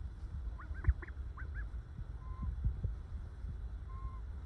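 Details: Ducks resting calmly in the sun, making happy noises: a few short, soft, upslurred quacking calls in quick succession, then two faint drawn-out notes, over low rumbling ambient noise.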